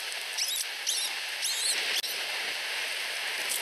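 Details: Two osprey chicks under a week old in a nest in Finland, competing for food from their mother: three thin, high, rising-and-falling chirps with bright overtones in the first two seconds, over a steady hiss.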